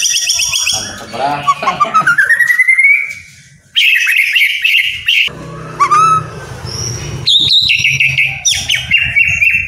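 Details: White-rumped shama in captivity, song meant to make lazy birds sing: high trills, a long rising whistled slur, a short silence, then bright varied phrases with quick upward sweeps and steady low hum behind.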